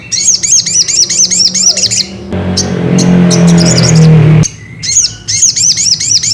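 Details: Ruby-cheeked sunbird, locally sogok ontong, sung as a lure to provoke another sunbird into singing: rapid, high, thin chirps repeated in quick bursts, broken midway by about two seconds of loud rushing noise over a low steady hum.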